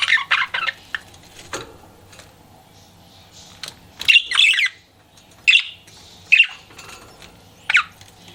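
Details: Pet budgie chirping while flirting: an opening flurry of rapid notes, a quiet stretch with soft chatter, then loud chirps spaced roughly a second apart.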